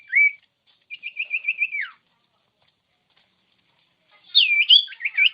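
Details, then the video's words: Common iora song used to make other birds sing: a brief rising whistle, a steady trill of repeated notes ending in a downslur, then after a pause a jumbled run of looping whistles. "Masteran Burung Cipow/Sirtu||Bikin Sirtu Emosi"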